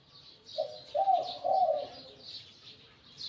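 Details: Wild-caught spotted dove used as a decoy, voice medium to large. One phrase of three soft low coos, the last two longer, with thin chirps of other birds above.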